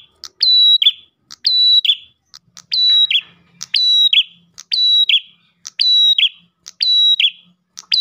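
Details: Repeated Ash tailorbird song to attract other tailorbirds, about eight phrases in eight seconds, each a click, a long high steady whistle and a short dropping buzz, with faint low rumbles in the background.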